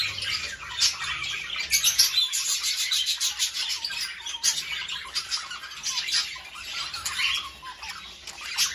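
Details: Budgerigars chattering in a recording to spur mating: rapid clicking chirps and buzzy high warbles in quick runs, louder in the first half, then softer twittering continues.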